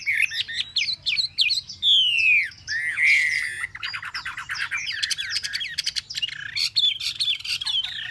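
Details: Rich song of a caged Chinese hwamei, three months in a cage: a fast warbled opening, a long drawn-out descending whistle, then dense rapid trills and chattering notes mixed with bright whistles.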